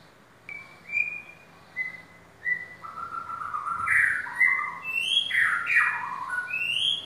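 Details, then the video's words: Caged white-rumped shama for sale, starting with spaced clear whistles, then breaking into a loud, varied run of warbles, rising sweeps and high notes. "murai Batu balak"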